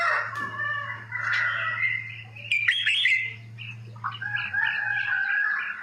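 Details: Red-whiskered bulbul singing a long-sought southern Thai song style, a bird kept for song contests: clear whistled phrases with rising and falling notes, a short sharp burst midway, then quick repeated warbling, over a steady low electrical hum.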